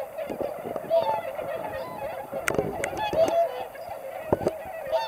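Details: Swans before flying north, 22 February 2019: scattered clear honks over a background of many flock calls, with a few sharp knocks or splashes mixed in.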